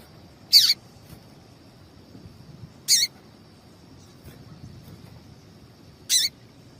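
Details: A female papa-capim seedeater's piping call, meant to excite males into singing: three clipped high chirps at uneven gaps of two to three seconds against a low rumble and faint hiss.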